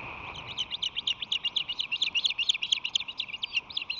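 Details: Osprey at its San Francisco Bay nest in March 2020, the male flying in with fish in his talons: a rapid, high chirping run of short piercing notes, about two per second, continuous across the recording over a steady tonal hum.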